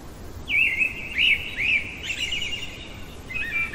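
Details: Common blackbird singing in the middle of the night: three looping whistled notes, then a scratchy high twittering tail and a faint closing whistle, over soft background hiss.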